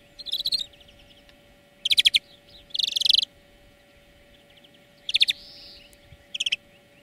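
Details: European greenfinch singing in a song lesson for training birds: dense buzzy trill bursts spaced one to two seconds apart, one soft wheeze between them, and a steady hum throughout.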